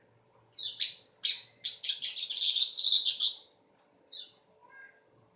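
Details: Weaver song building from separate buzzy swept syllables into a fast, dense sizzling trill lasting about two seconds, ending with one more swept note.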